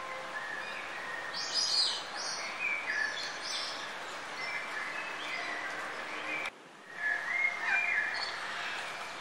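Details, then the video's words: Birds singing outdoors in nature, with high thin chirps and short whistled phrases scattered over steady environmental hiss; several overlapping voices and a brief drop in level near the end before chirping resumes. "What a wonderful sound of birds in the nature!!! ما أروع صوت العصافير بين أحضان الطبيعة"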